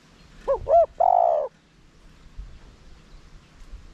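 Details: Decoy spotted dove calling to provoke wild birds to coo: a single phrase of two short looping notes and one drawn-out even coo, followed by quiet background rustle.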